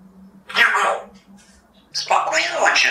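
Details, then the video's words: Grigorij, a talking African grey parrot from Russia and a contestant in a Polish talking-bird championship, says two short, raspy, word-like phrases separated by about a second's pause, with a faint steady hum underneath. "Gadająca papuga"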